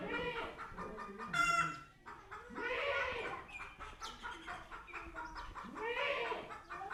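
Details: Chicken meeting a cat for the first time: repeated harsh arched squawks about every one and a half seconds, mixed with softer clucks and a short high squeaky note near the start.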